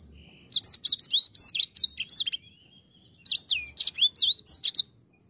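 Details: Two separate bursts of lure song from a grey singing finch, each a quick series of high rising and falling whistles, divided by a quiet interval of over a second.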